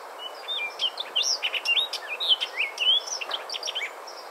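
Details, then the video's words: Orchard oriole song, similar to the Baltimore oriole's but more jumbled and raspy: a fast, high-pitched run of varied whistles mixed with raspy, buzzy notes, continuous over a few seconds. "Their vocalization is a little bit similar to the Baltimore, but it's a little more jumbled and a little more raspy."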